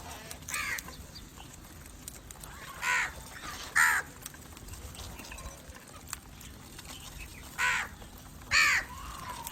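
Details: Crow calling to draw in other crows: five hoarse, harsh caws at irregular intervals, some in pairs about a second apart, with soft background hiss between them.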